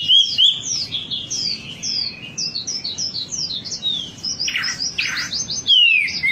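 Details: Wambi song in a recording meant to prompt birds to sing: a rapid string of descending high whistled notes, then a burst of harsher chattering, ending with a clear downslurred whistle.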